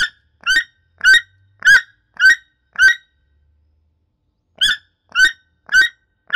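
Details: Toucan giving a series of loud, harsh croaking calls, each short and rasping, repeated about every half second in two bursts separated by a pause of nearly two seconds, with no other sounds.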